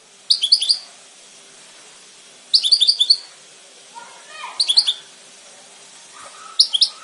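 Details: Repeated goldfinch phrases of fast, high, sparkling chirps, each burst under a second long and about two seconds apart, with a few quieter lower sliding notes in between.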